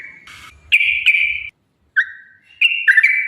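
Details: Yellow-vented bulbul giving short bursts of 'ropel' song meant to lure other bulbuls into singing: clear whistled phrases broken by silent gaps, plus a brief buzzy rattle at the start.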